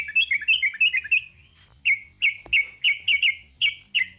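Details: Long 'ropel panjang' song of a yellow-vented bulbul: a fast run of chirping notes, a short gap, then more spaced, slurred chirps repeated at an uneven pace, with one soft click in the middle.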